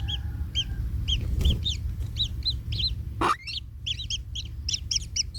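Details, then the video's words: Kingfisher chick in a nest, trampled by its parent and in pain: short arched chirps with overtones repeat about twice a second, broken by one sharp, loud, rising squeal midway, over a steady low hum. "Anak Tengkek Terinjak Induknya Hingga Kesakitan - Baby Kingfisher bird nest"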